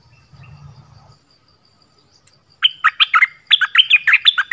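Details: Original recording of a Dok Taeng bird singing varied phrases: low humming background at first, then a loud, rapid series of clear whistled notes that drop sharply in pitch, continuing to the end.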